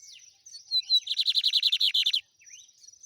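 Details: Song of a lined seedeater, trem bala type. Thin whistled notes precede a rapid, evenly spaced trill of about fourteen buzzy descending notes, then a few soft slurred notes.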